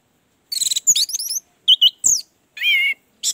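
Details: Orange-headed thrush phrases meant to stimulate a quiet bird: rapid trills, looping whistled slurs and a longer wavering whistle in quick succession.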